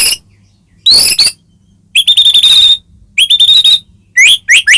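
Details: White-rumped shama song used to provoke a caged bird into singing: loud whistled phrases broken by pauses, high rising notes and rapid rattling bursts, some sharp upswept whistles near the end.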